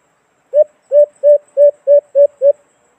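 White-eared brown dove giving seven low, hollow hoo notes in an even series, about three per second, with no other sounds.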